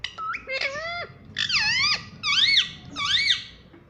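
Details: Talkative parrot saying "mummy": a steady series of long, voice-like syllables, each swooping down and back up, about one every half second, with a thin squeak at the start.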